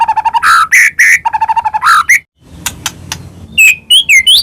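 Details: White-rumped shama song used as a lure for other shamas: fast repeated low whistled notes, louder slurred phrases, a brief silence, then high clicks and rising whistles.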